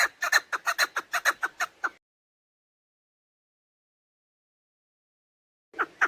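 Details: Female chukar partridge giving the call used as a hunting lure: a two-second rattle of loud, clucking chuk notes, then silence before two more notes at the end.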